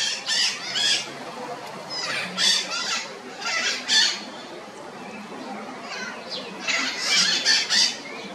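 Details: Red-shouldered macaws give harsh, raspy squawks in uneven bursts, several close together and then pauses, with quieter gaps between calls.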